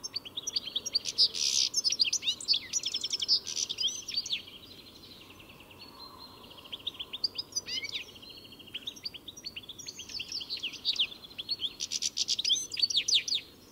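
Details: Long bout of European goldfinch song, rapid high twittering with buzzy trills, slurred whistles and tinkling notes in bursts separated by short pauses, faint hiss behind.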